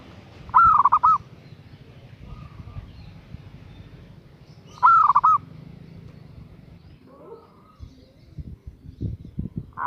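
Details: A female zebra dove calls a male with quick, rolling, looping coo notes in brief bursts a few seconds apart, with faint rustling and tapping in between.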